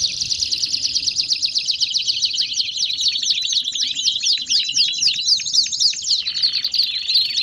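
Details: Energetic baderna canary song: a continuous high rolling trill breaking into sharp descending notes, with a brief change of phrase toward the end, bright and unbroken throughout.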